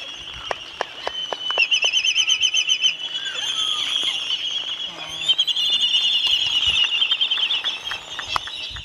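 A crowded Laysan albatross colony: many overlapping high, wheezy whistles and squeals blend into a steady din, broken by sharp, rapid clacks.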